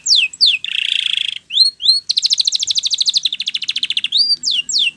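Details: Spanish Timbrado canary singing a training song: rapid descending whistled slurs, a buzzy metallic trill, rising upslurred notes, then a fast rattling series of repeated notes and more downward sweeps.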